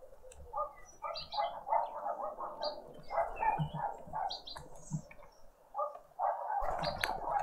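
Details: Family group of green woodhoopoes feeding at breakfast on a spring Sunday morning in a Pretoria suburban garden, South Africa. Dense, raucous cackling notes in rapid series, a brief pause near the end, then renewed chatter, plus scattered high chirps.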